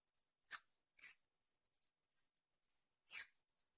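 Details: Citrine wagtail calling three times: two harsh, buzzy high notes about half a second apart, then a third after a two-second pause, with silence between.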